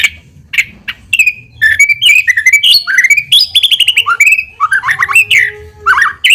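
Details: White-rumped shama song played as a lure to provoke a quick response: rich, varied whistled phrases, rapid sweeping notes and slurred descending trills, loud and clear over a quiet background.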